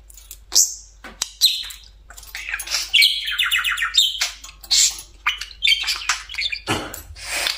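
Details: Pet budgerigar perched on top of its favourite cage, a spell of busy chatter: scratchy warbles, sharp clicks and bright chirps, with a burst of rapid buzzy notes in the middle.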